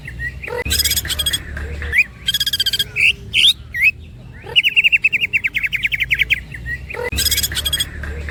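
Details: Cucak ijo, the greater green leafbird, singing with woodpecker-style imitation: bursts of harsh rapid clicks, short upward whistles, and a quick repeated chirping trill in the middle, loud and close.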